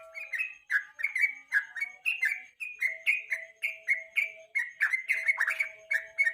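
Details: Evening song of a yellow-vented bulbul used to stimulate and tutor other songbirds for national contests: bubbly chain of quick whistled notes, rising and falling slurs repeated steadily with short gaps, faint steady tone beneath.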